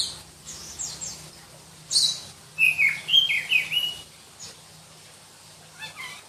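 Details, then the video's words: Shrill song of a black-breasted magpie-robin from Berau, East Kalimantan: a short run of loud, high, varied whistled notes in the middle, between quieter high chirps, over a low steady hum. "Kicau Kacer Kalimantan"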